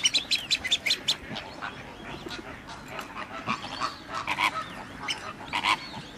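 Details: At WWT Slimbridge, a Radjah shelduck gives rapid series of harsh, nasal, honking calls, several per second in bursts, over a faint background hiss.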